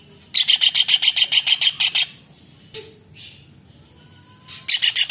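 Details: Kingfisher (tengkek udang, cekakak, raja udang), calling vigorously, recorded as a tutor sound for songbirds such as magpie-robins: a fast run of harsh, evenly spaced chattering notes, about three and a half per second, pausing, then resuming.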